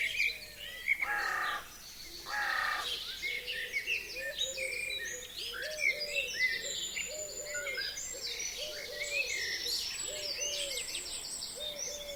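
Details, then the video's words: Wild forest birds singing in spring over a frozen forest lake on a sunny, windy day; varied high chirps and trills fill the upper range, with a steady row of short repeated lower notes underneath and a soft wind hiss. "Пение лесных птиц на замерзшем диком лесном озере"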